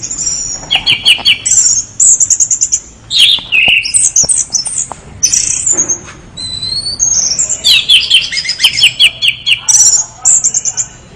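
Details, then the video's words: Energetic orange-headed thrush producing a long, varied medley: rapid rattling trills, high pure whistles, downward-sliding notes and clipped chirps, nearly continuous throughout. "anis merah gacor"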